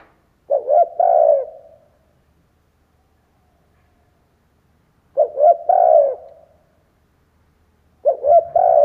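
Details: Spotted dove decoy singing to excite other doves into calling: three hoarse coo phrases spaced roughly four seconds apart, each with stuttering notes first and then a prolonged, falling note. The background is quiet.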